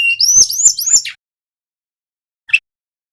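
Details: Male brown-chested jungle flycatcher, local to Bali, used as a lure to get birds singing. Three quick rising-then-falling whistled slurs in a row, then silence broken by one short chirp.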